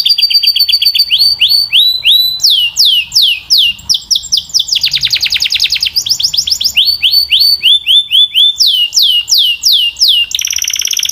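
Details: Canary song made of varied phrases: series of rising whistled upslurs, a dense buzzy burst, more repeated upsweeps and a final rattling trill.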